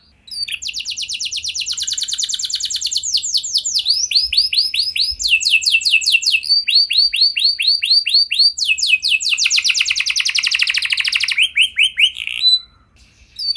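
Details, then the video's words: Canary in full song, used to encourage other canaries to sing: long continuous sequence of rapid trilled tours, each a run of descending sweeps, shifting pitch and speed, ending abruptly. "Pancingan Ampuh Banyak Burung Kenari Cepat Bunyi Gacor Dengan Suara Kenari Gacor Lagu Unik Ini!"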